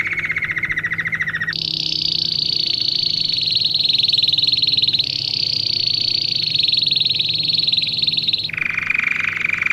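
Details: A domestic canary sings for young birds being trained. A short low buzzy roll gives way to a long, loud, high sustained trill lasting several seconds, then it shifts back down to a lower rapid trill at the end.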